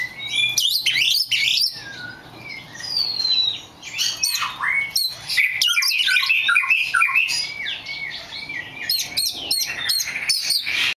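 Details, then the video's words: A rare black magpie robin sings a rich, varied song of whistled slurs and chirps spread high in pitch, notes changing constantly with brief pauses between phrases, in a quiet indoor setting. "The rare black Magpie Robin"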